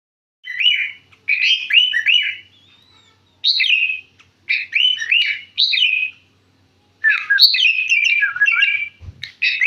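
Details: Caged sooty-headed bulbul from central Jakarta, Indonesia, singing actively: short, bright whistled phrases that swoop and warble, given in bursts of about a second with brief pauses, over a quiet background.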